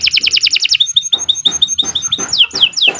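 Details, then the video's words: Master song of a canary for teaching young birds, sung persistently: a fast high trill gives way to short, evenly spaced piping notes, ending in loud downward-swooping whistles. "Kicau Burung Kenari 90 II GACOR PANJANG Cocok untuk Masteran"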